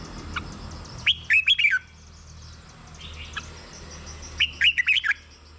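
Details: Two lilting whistled phrases of a red-whiskered bulbul, played to rouse caged birds, each made of four or five quick bouncing notes with faint chirps in between.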